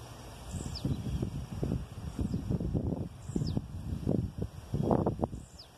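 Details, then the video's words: Blue-black grassquit singing in the wild: a short, high, sharp downward-sweeping note repeated about every two and a half seconds, three times, over loud low rustling and handling noise. "tiziu na natureza cantando muito"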